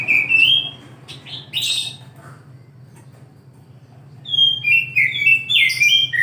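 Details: An oriental magpie-robin sings in the morning, giving a rising whistle and a few brief squeaky notes, a quiet gap of about two seconds, then a rapid run of varied sweet whistles rising and falling.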